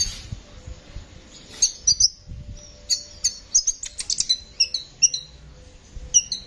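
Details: Energetic Kolibri ninja sunbird, singing nonstop for songbird training, delivers rapid high twitters, sharp chips and short thin whistles in a lively, irregular stream.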